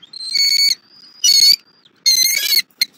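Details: Bald eagle at a nest in Southwest Florida on a February morning, as the adults bring a rabbit and feed their chick; nest camera. Loud, thin, high squealing notes in three bursts, linked by a long faint whistle.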